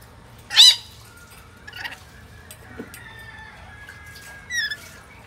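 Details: Swainson's lorikeet recorded on 10 April 2024: one loud, harsh, buzzy screech near the start, then quieter short rasping calls about a second and nearly four seconds later, over faint thin tonal notes and a low background hum.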